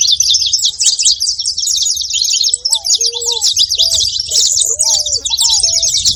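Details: Noisy group of saffron finches giving rapid, high, overlapping chirps without pause, while soft, low, arched whistled notes appear in the second half.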